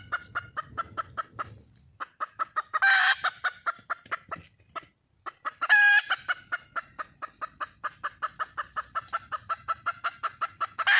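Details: Red junglefowl hen in the wild, calling for a male: bursts of rapid clucking separated by short gaps, with two loud, harsh, ringing squawks, one coarse and one more tonal, before clucking runs on.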